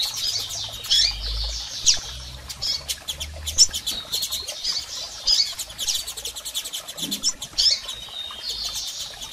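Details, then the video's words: Female and male double-collared seedeater calls, played to stimulate a male: short high chirps and upward sweeps, bunched irregularly about every two seconds, with sharp clicks and faint low rumbling beneath. "PIADOS de Coleiros Fêmeas e Machos Para Foguear Seu Coleiro!!!"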